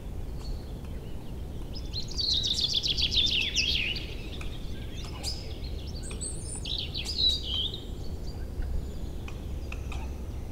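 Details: Early spring chorus of just-arrived birds in April woods and meadows beside a river freed of ice: a loud fast descending trill around the middle, then varied high chirping phrases from several singers, with a constant low rushing noise beneath.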